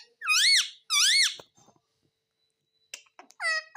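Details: A pet parrot talks in a small room: two loud, high, wavering harmonic syllables close together, a quiet gap with faint ticks, then a shorter falling harmonic call.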